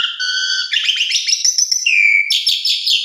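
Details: Asian pied starling song used as a tutor recording for young birds: high, rich whistled notes, a rapid chattering stretch, a smooth falling whistle, then sharp high squeaky notes, all continuous.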